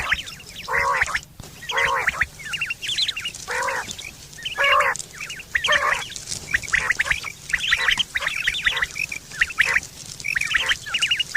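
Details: Quail, September 2023, a call described as used for hunting and mating: a string of nasal, stacked calls at about one per second, mixed with busier high chattering and twittering.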